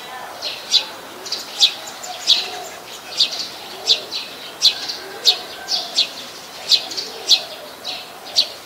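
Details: Brown-throated sunbird in Ubon Ratchathani, Thailand, 13 January 2021, captured on a Nikon P1000: a steady series of about fifteen sharp high chips, some paired closely, with faint lower background sounds.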